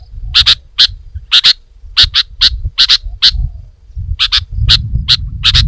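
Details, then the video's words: Sooty-headed bulbul giving clusters of sharp, clicky chip notes, often in pairs, with a brief pause midway and a steady low background hum. "Kicau Burung Kutilang Gacor"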